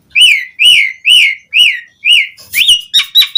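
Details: Asian pied starling in full, loud song, used as a lure to get other starlings singing; a run of clear whistled notes rising then falling, about every half second, with the last few turning harsher and buzzier.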